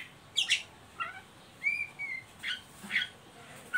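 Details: Oriental magpie-robin ngeriwik call used to lure and stimulate young birds to sing: sparse notes including harsh bursts and one clear whistled slur, separated by short pauses.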